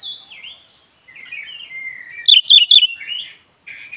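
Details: Black-breasted Oriental magpie-robin (kacer dada hitam) urged to sing: gliding whistles and a drawn-out level note, then a loud quick run of three sharp chirps, ending with a soft warble.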